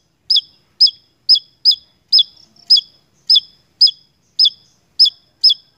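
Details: Javan tesia singing in a vigorous lure recording from Indonesia: short, sharp, high chipped notes, each dropping quickly, repeated about twice a second in a steady series of eleven, with a quiet background.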